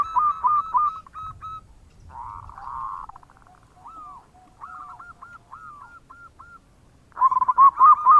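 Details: Energetic local zebra dove producing bekur coos to attract other birds. Slurred cooing opens, then slower spaced single curled notes. The clip ends on a dense rapid burst of notes.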